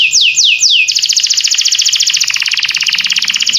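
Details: Canary song beginning with three clear down-slurred whistles, then breaking into a long, fast, high rolling trill that fills the rest of the phrase.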